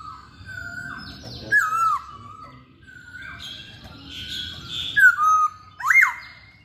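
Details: Masked laughingthrush singing actively: drawn-out level whistles broken by loud slurred downward and upward swoops, with a brief buzzy passage and a final rising whistled note.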